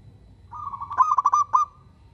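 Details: A single cooing phrase from a local zebra dove, a persistent singer that draws replies from other zebra doves. A smooth sustained coo turns into a rapid run of bubbling, stuttering notes before fading, over faint low rumble.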